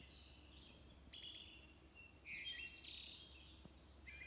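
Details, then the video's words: A very noisy wood thrush sings short, flute-like phrases that end in a high, rolling trill, roughly one every second, over a low steady hum. "Wood Thrush"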